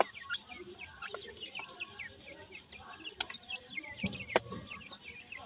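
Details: Grey francolin chicks while feeding, a flock giving many short, thin upslurred peeps, overlapping and continuous, with a few sharp clicks and taps underneath.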